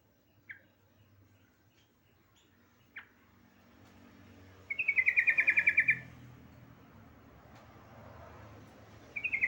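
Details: Female yellow-vented bulbul calling for a male: isolated sharp chirps, then a loud, even trill of rapid pulses for about a second, and another trill begins at the end.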